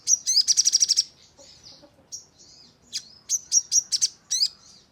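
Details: Sogon lure song meant to prompt caged birds to answer and sing constantly: a rapid high rattle at the start, a soft warbling pause, then a string of sharp, separated high chips.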